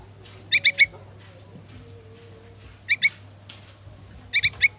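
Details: Yellow-vented bulbul nestling begging from its parent: three groups of two or three piercing high squeaks, separated by pauses of one to two seconds, with a quiet low hum beneath.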